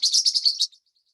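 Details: In the Colombian Andes, a couple of spectacled parrotlets give a quick burst of high, buzzy chattering chirps, about seven notes in under a second, then fall silent.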